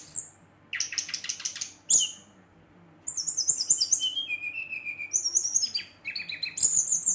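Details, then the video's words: Song of a brown-chested jungle flycatcher provoking rivals: rapid stuttered notes, then quick high trills, lower slurred whistles and sharp chirps. "Sikatan Rimba Dada Coklat ngamuk memancing emosi srdc lain"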